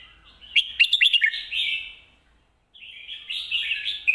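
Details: Red-whiskered bulbul singing lak wai and mae bot style: a quick phrase of bright rising whistles running into a rich warbled trill, a short silence, then a longer stretch of varied chattering warble.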